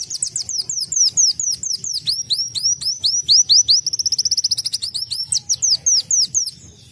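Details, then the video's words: A sunbird sings a fast, canary-like song of high, downslurred chips and bright trills, several notes each second, with no other clear sounds. "KOLIBRI WULUNG KENARIAN"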